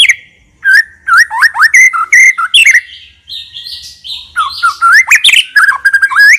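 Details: Constant, varied full isian song of a white-rumped shama, suited to drawing song from other shamas: fast clusters of loud slurred whistles and upward sweeps, a brief softer buzzy passage in the middle, then dense rapid phrases.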